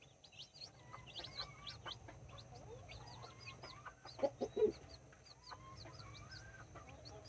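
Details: Two mother hens tending nine chicks, four mini chickens and five Brahma, in a backyard: rapid high chick peeps throughout, with a cluster of loud low hen clucks near the middle.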